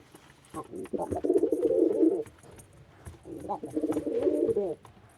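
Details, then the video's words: Low, bubbling coo of a male white pigeon, two extended throaty phrases of about one and a half seconds each, with soft background rustles. "white pigeon male sound effect"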